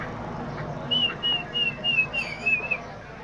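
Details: Myna giving a run of clear, high whistled notes, each slightly wavering, repeated about three times a second for nearly two seconds, with a faint low background hum.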